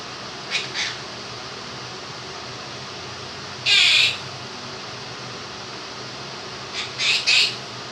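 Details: Two-year-old pet Quaker parrot, said to sing its own version of 'If You're Happy and You Know It', gives short scratchy chirps in brief clusters over a steady hiss of a fan.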